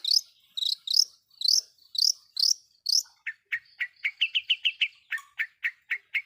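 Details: Long-tailed shrike lure song, used to provoke other shrikes: a run of sharp high chirps at a steady beat, then lower, rapid repeated notes ending in quick chattering phrases. The recording is clean with no other sounds.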